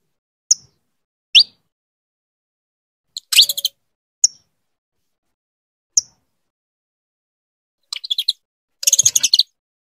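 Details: Saffron finch hen calling her male to breed, giving isolated sharp high chips and upslurred notes separated by pauses, with short bursts of fast raspy chatter in between.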